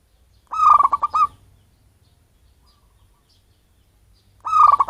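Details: Calls of a wild local zebra dove, from its natural habitat rather than captive-bred, used as a lure for birds. Two quick pulsed coo phrases about four seconds apart, each a rapid stuttering series of notes, with silence between.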